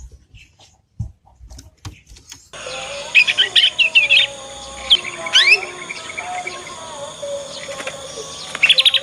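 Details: Young Yorkshire canary learning its 'ngriwik' song, used as a lure to get other canaries responding and learning quickly. After a quiet start with a few clicks, bursts of fast high twittering trills and chirps begin, over a steady background tone.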